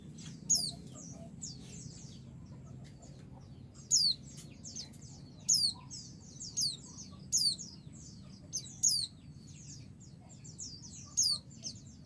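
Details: A female white-eye calling to males, which are said to answer excitedly, gives thin, very high, sharply falling call notes at irregular intervals with soft twittering between, over a low background rumble.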